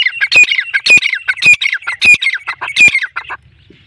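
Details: Harsh rasping calls of a black francolin, Sindhi breed, repeated in steady half-second bursts before falling silent near the end.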